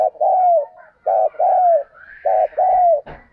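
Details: Spotted dove decoy bird cooing intensely, three loud paired phrases, each a short coo followed by a longer coo that slides downward, with a faint higher whistle in the background and a click at the end.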